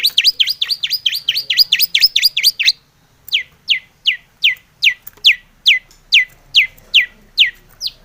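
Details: Long-tailed shrike in lively full song, used to provoke other shrikes into singing: a fast run of high, sharply down-slurred whistled notes, then the same notes spaced about every half second.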